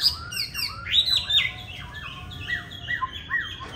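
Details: Green-bean-eye Chinese hwamei giving competition song used to train other hwamei: a run of sharply descending, slurred whistled notes, some loud and some softer, in an uneven rhythm.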